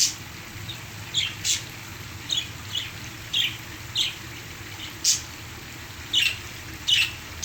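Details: Caged parakeets calling beside the sound of a waterfall: scattered sharp chirps and squeaky notes at irregular intervals, with a faint low rumble and a continuous high hiss behind.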